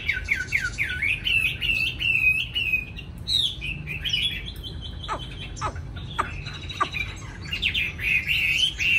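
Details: Young caged Chinese hwamei singing eagerly: fast rising whistled phrases and repeated notes, then sharp clear downslurs and a buzzy final flourish, with constant low background noise.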